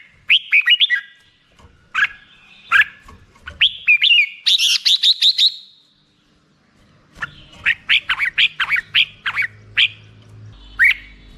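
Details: Black-crested bulbul singing lively phrases of sharp, slurred whistles, some quickly repeated in chattering runs, with brief pauses between groups; faint low hum in the background.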